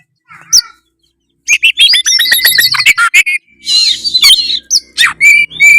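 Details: Oriental magpie-robin (kacer) in full 'gacor' song, meant to spur other kacer into singing: a short trill, a pause, then rapid burst of sharp whistles and harsh chattering notes, ending in clear high whistles.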